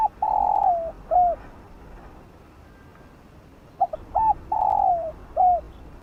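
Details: Quick 'giọng đồng' song of a spotted dove used for training decoy birds and rousing new captives: a long level coo dropping at its tail and an arched note, then a fresh phrase of three short coos, long coo and closing note.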